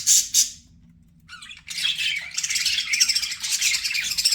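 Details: Two quick shrill chirps from a pet budgie, a short silence, then a dense unbroken run of raspy, rapid chattering notes.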